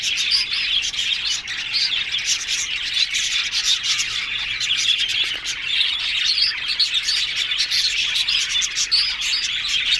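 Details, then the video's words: Yellow budgerigars chattering happily in a group, giving constant high twittering and short chirps layered over one another in a busy, unbroken warble, with a few sharper tweets standing out. "Yellow Budgies Talking Sounds Happy"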